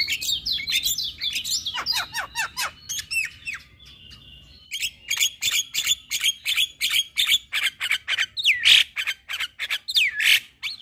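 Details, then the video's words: Javan myna song aimed at getting mute caged mynas to sing: bursts of sharp chirps and twisting whistles, a short lull, then fast repeated harsh notes with loud rasping squawks. "Pancingan Jalak MAcet Bunyi / Jalak Stres / Jalak Mabung / Jalak Bisu"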